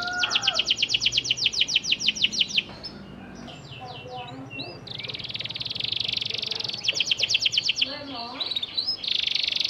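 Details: Panda canary singing a lure song meant to prompt silent canaries to respond: fast rattling trills of sweeping notes, a long buzzy high passage, then more rapid trills; faint lower voice-like sounds in the middle.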